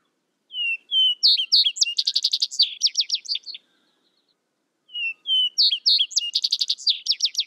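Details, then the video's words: Vesper sparrow repeating its song twice: each starts with paired low whistles and climbs into a quick chattering cascade of high, buzzy trills, with silence between. "Vesper Sparrow Bird Sound Bird Song"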